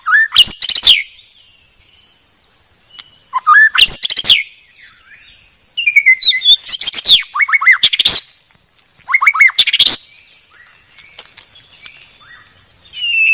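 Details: White-rumped shama recorded clearly as a training song. Loud bursts of rapid sweeping chips and short rising whistles come about every two to three seconds, with quiet gaps between them and a constant thin high tone behind.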